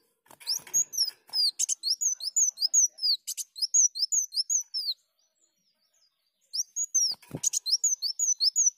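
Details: Sunbird song used to lure birds: rhythmic strings of high, thin, descending whistles with scratchy buzzy notes at the start, a silent gap, then another fast phrase.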